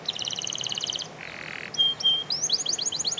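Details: Canary singing energetically: a fast trill of repeated chirps, a brief buzzy patch, a clear whistled note, then rapid rising chirps over a steady background hiss.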